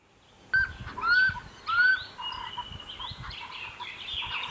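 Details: Common scimitarbills nesting in a braai boma at Hlane Royal Game Reserve as the first chick fledges: two clear, slightly rising whistled notes near the start, then fainter chattering with other bird notes in the background.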